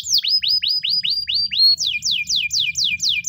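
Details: A white canary's training song: a run of high, downward-swooping whistled notes, about four a second, then a quicker rolling tour of rising-and-falling notes over a faint low hum.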